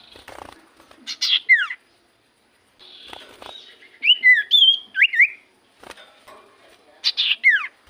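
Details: Common iora singing, used as a lure so other ioras reply: scattered sharp, descending whistled slurs, with short twisting whistles in the middle and a soft background hiss between phrases.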